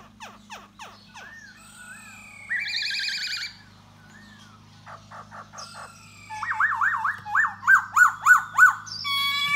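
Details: Laughingthrush of the 'da bò' type singing and dancing to lure a female: quick descending chirps, short rising whistled slurs, a loud buzzy trill, then a run of looping whistled notes repeated about twice a second. A steady low hum underneath.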